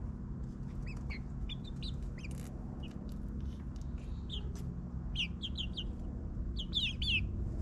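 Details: Suburban backyard chicks, nine weeks old, give bursts of high, sharp chirps and clucks, grouped in quick runs near the end, with a low mechanical rumble underneath.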